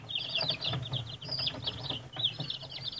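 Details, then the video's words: Light Brahma chicken calls: a dense run of high, thin, downslurred peeps repeated rapidly and overlapping for three seconds, with low rumbling background noise underneath. "Light Brahma"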